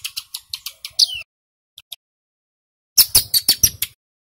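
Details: Male ciblek gunung (mountain prinia) in loud rapid song, used to lure wild birds: a short volley of about seven high, sharp chips, then silence, then another fast string of piercing notes.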